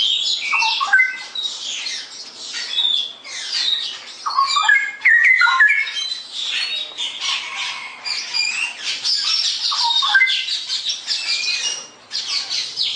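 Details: Straw-headed bulbul singing energetically in unbroken ngerople style: short fluty whistles dipping and rising through bubbling phrases, surrounded by thick, overlapping high-pitched chatter and squeaky notes that continue almost without gaps.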